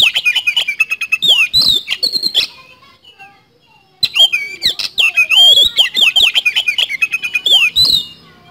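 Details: A vigorous Oriental magpie-robin (kacer) in 'nembak speed roll' style: long, rapid, varied warbling of twisting whistles and clicks, interrupted by a roughly one-and-a-half-second pause before resuming.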